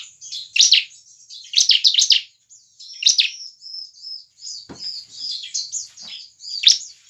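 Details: Bar-winged prinia in lively song, meant to stimulate other prinias to sing: sharp high chirps singly and in rapid triplets, followed by a gentler warbling run and one more loud chirp.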